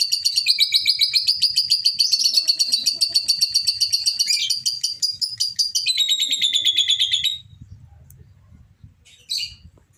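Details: Excited lovebird giving a long ngekek as a lure: a fast, rattling high trill sustained for about seven seconds, briefly shifting pitch midway, then silence broken by one short sharp chirp near the end.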